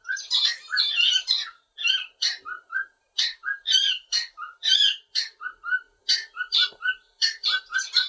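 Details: Pet cockatiel singing indoors from a curtain bar: repeated short whistles at a steady pitch interleaved with rough, broadband chirps, delivered in quick rhythmic groups.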